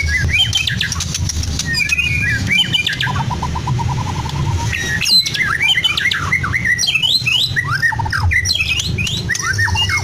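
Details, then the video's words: White-rumped shama of Medan type in a cage, song packed with imitations of lovebird, canary and other birds: rapid rattling trill, sharp rising and falling whistles and squawky notes over low background rumble. "Murai BATU MEDAN FULL ISIAN LOVEBIRD, KENARI, CILILIN | SHAMA BIRD"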